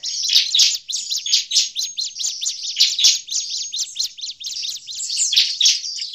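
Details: Excited Bar-winged prinia chattering used as a trapping lure: dense, buzzy high chirps running without pause, with strong accented notes every second or so.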